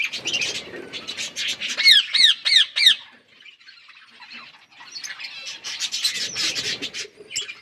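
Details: Parrots feeding give busy high chatter, then a run of five loud, evenly spaced, ringing squawks, a short lull, and renewed chattering.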